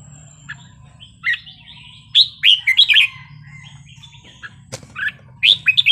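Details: Red-whiskered bulbul in wild-style song: scattered chirps building into a lively burst of four rollicking whistled notes, quieter chatter, then another quick bright phrase, with a constant low hum.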